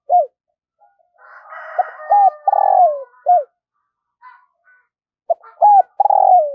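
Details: Decoy spotted dove, caged and trained daily to call in wild doves, gives soft, low coos in repeated phrases, each ending in a drawn-out falling coo. A harsher, higher crowing-like sound overlaps midway.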